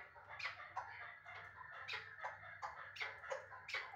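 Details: Chukar partridge from Uzbekistan, a caught bird from last year's brood kept in Dushanbe, giving fairly quiet, harsh clucking notes about twice a second, each with a sharp upper edge, against a constant low electrical hum.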